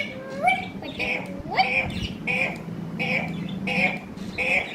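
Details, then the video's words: Parrot talk heard as a rapid series of bright, nasal syllables, roughly seven in under five seconds, the first few sliding upward, the rest clipped and harsh, over a low background hum. "Pyaari baate karne wala tota"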